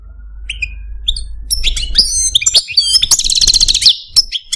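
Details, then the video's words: Male Algerian parva goldfinch in captivity starts with a few separate whistled notes, then quickens into a tangle of high twitters, swooping whistles and a loud buzzy rattle. "Algerian Parva goldfinch, Chardonneret, Cardelino, Jilguero Stieglitz, Stillits"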